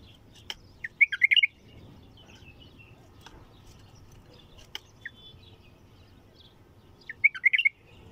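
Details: Bulbul song: two short liquid warbled phrases, each a quick rising-and-falling cluster of notes, several seconds apart, with faint clicks and a quiet low rumble between them.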